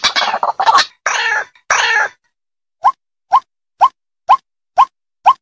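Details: White-breasted waterhen challenge call used as a trapping lure: three harsh, rasping squawks open the recording, then after a pause come short clipped single notes repeated steadily about twice a second.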